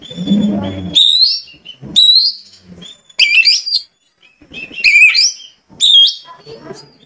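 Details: Oriental magpie-robin kept as a cage bird, stirred into vigorous singing: ringing whistles sweeping upward and buzzy trills in five loud phrases, with a low rumbling noise at the start.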